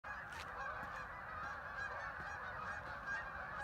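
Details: Thousands of ducks flying in and landing on the water at Hockanum River Linear Park, Vernon, Connecticut: a dense, continuous mass of overlapping nasal calls from a distant flock.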